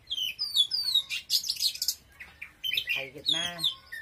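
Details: Oriental magpie-robin singing strongly. Quick rising and falling whistled phrases run into harsh, scratchy notes, with a short buzzy, rattling passage near the end.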